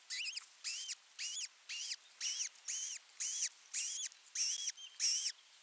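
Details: Osprey at a rebuilt nest in Satakunta, Western Finland, June 15, 2024, during a food delivery by the male to the chick; a steady series of about ten rising-then-falling whistled notes, roughly two per second.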